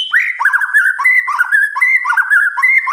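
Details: White-rumped shama (murai batu) singing at night: a continuous rapid warble of slurred whistled notes, repeated rolling phrases rising and falling, with bright overtones throughout.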